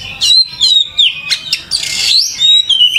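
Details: Kacer, the oriental magpie-robin, in lively full song: loud rich whistles rising and falling, a harsh scratchy burst in the middle, then more clear slurred notes.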